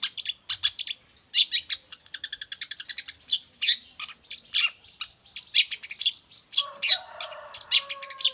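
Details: Nonstop chattering song of a long-tailed shrike, offered as tutor material and a trigger for other shrikes: rapid rattling strings of scratchy notes, dense buzzy phrases, and a low drawn-out harsh note near the end.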